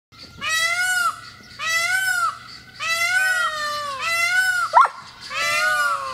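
An Indian peafowl gives five loud, nasal, wailing calls, each under a second with a slight downward bend, about one per second, over a faint low hum.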